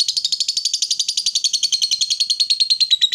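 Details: Female fighter lovebird in full ngekek chatter, a call used to stir up rival lovebirds: a steady train of rapid, buzzy high chirps, evenly spaced and unbroken for three seconds.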